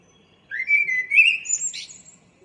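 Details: Common blackbird (Turdus merula), a local bird's morning song on 02/04/2013: one mellow, rising fluted phrase ending in a quick, squeaky high twitter, within about two seconds, against a quiet background.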